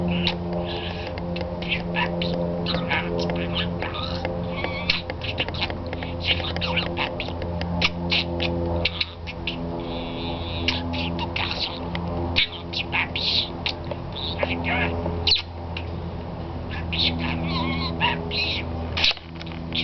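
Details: A talking budgerigar chatters in rapid, scratchy bursts of mimicked French speech over a steady low hum.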